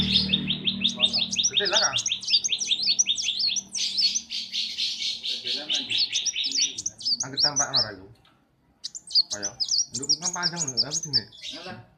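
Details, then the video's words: A pet kolibri wulung sunbird singing its morning song in a workshop, where it sings every day while its owner works. It is a long, fast, unbroken stream of high, chattering, zigzag notes, with a short pause and men's voices talking below. "KOLIBRI WULUNG NGOCEH PAGI PAGI"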